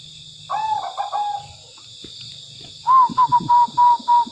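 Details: A tame zebra dove singing actively: a soft stuttering phrase of cooing notes, then a quick run of six clear, level, whistled coos in about a second and a half, over a steady high electrical hum.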